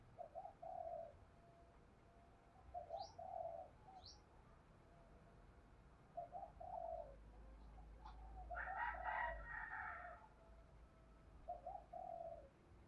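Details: Spotted dove lure bird cooing to draw in and challenge wild doves, in the thổ voice style. Repeated low, throaty coo phrases at intervals of a few seconds. A louder, harsher crowing-like call midway. A few thin high chirps.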